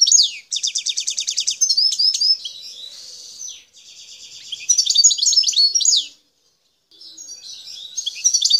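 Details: Wild goldfinch, Algerian parva type, singing in Bouteldja, El Tarf. The phrase opens with a crisp, evenly pulsed trill, then moves through twittering, a buzzy drawn-out passage and a rattle into lively chatter. A short silence precedes more song.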